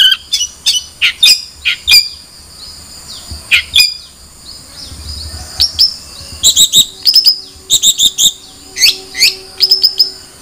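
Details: Long-tailed shrike mixing sharp chirps and twittering bursts, a quiet pause in the middle, then clusters of fast, high notes resuming.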